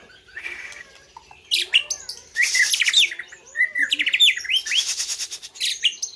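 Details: White-rumped shama singing at an Indonesian bird contest, a bird from the Gayo land of Aceh: dense mix of sharp whistles, scratchy buzzes and rattling bursts, phrases tumbling quickly with brief gaps, light background hum.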